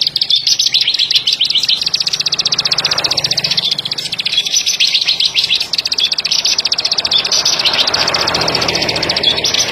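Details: Plain prinia producing a long, continuous, fast metallic ticking trill, very high and steady, with a soft broad background rush.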